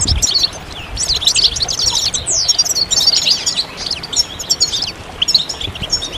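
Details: Several European goldfinches singing at once, a stimulation chorus for moulting males; bright tinkling twitters with one clear downslurred whistle near the middle, background fairly quiet.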